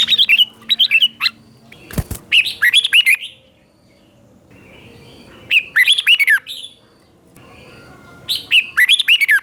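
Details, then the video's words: Red-whiskered bulbul teacher song in the doubled 'boen' style, for young birds to copy: three separate bursts of quick, bright, swooping whistled notes with pauses between them, and one sharp knock early on. "เสียงนกกรงหัวจุก | เสียงนกครู เบิ้ลหลัก1000000 เสียงชัดเจนสำนวนเพราะ"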